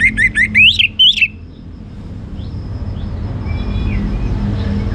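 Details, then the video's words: Orange-headed thrush singing in the ngeplong gacor style: a loud, quick burst of whistled notes that swoop up and down, lasting just over a second, then fading to faint distant notes over low background hum. "Anis Merah Ngeplong Gacor"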